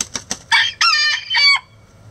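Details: Chicken egg song: three quick clipped clucks followed by two long, loud, nasal cackling notes that bend downward at the end, close and clear.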